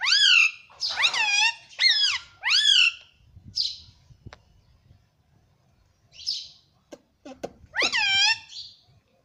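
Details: Green ringneck parrot kept at home, talking "mummy papa": loud clusters of arched, harmonic syllables in bursts, then pauses, then another burst near the end.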